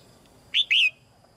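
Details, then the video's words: Single phrase from a caged female red-whiskered bulbul singing to prompt young birds to sing: a clipped whistled note, a tiny pause, then a longer rich note sliding downward, over quiet background. "นกหัวจุก-birds - Ep.57 - นกตัวเมียร้องเพลงในกรงเพื่อกระตุ้นให้นกที่โตใหม่ร้องเพลงมากขึ้น"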